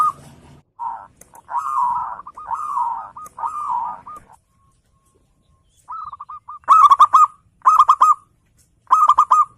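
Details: Local zebra dove in loud song used to provoke rivals: softer warbling phrases of rolling coos, then three loud, crisp staccato phrases about a second apart.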